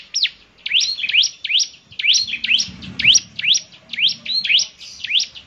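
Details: Bar-winged prinia song, whose distinctive voice is said to prompt other birds to sing along: high, sharply rising and falling chirps in loose clusters of two or three, with faint low background noise.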